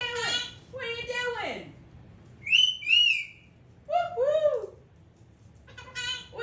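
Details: Pet Hahn's macaw talking: a run of harmonic, speech-like syllables, then two bright rising-falling whistled notes, followed by more harmonic chatter in short bursts separated by pauses.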